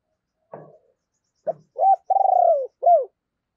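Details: Spotted dove used as a lure bird, cooing: a couple of soft rough notes, then a full phrase of a clipped note, a long vibrating coo and a final short downward coo.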